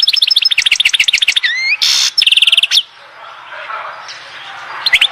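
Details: European goldfinch singing at Oued Zhour, Skikda: a rapid rhythmic run of repeated chirps, a rising slur, a harsh buzzy burst and rattle, then near quiet with a final short phrase.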